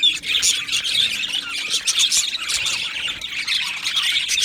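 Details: Many Australian budgies chatter in an aviary, 12 July 2025: a steady mass of shrill chirps and short squawky notes, with brief sharp whistles rising out of the busy high-pitched din.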